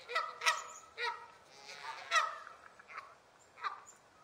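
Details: Canada goose honking: about six harsh, nasal honks with strong harmonics at uneven spacing over four seconds, some overlapping softer calls from other geese in the background.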